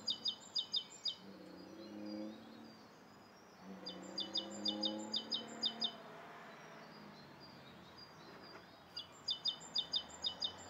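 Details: Morning recording of a Rose-coloured Starling in Bishopston, Bristol, 29 November 2014: three bursts of rapid, high, clipped chirps separated by pauses, with a low rumble, likely traffic, underneath.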